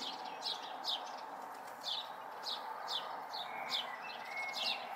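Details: House sparrow fledglings watched locally in May 2020: short downward-sweeping chirps repeated roughly every half second, with a faint thin whistle from another bird and a steady background hum.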